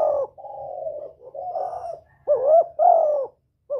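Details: Spotted dove giving a lure call meant to provoke a decoy bird and draw in a male: a run of mellow, hoarse coos, several rising sharply at the start and then gliding down, with brief gaps between phrases.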